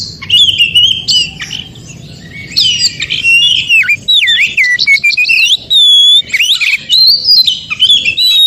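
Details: Forest-recorded white-rumped shama song played to stir non-singing shamas into response: continuous rich whistled phrases, looping slurs and rapid chips, clear pure tones, over a soft low background hum.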